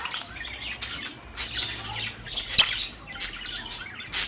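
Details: A female cockatiel expected to lay eggs within a few days gives short, high, scratchy chirps in quick irregular bursts; India.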